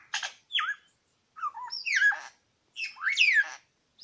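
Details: Male Superb Lyrebird, one of two, at Lookout Point in New England National Park: separated bursts of sweeping, slurred whistles and buzzy downward notes, about one phrase every second.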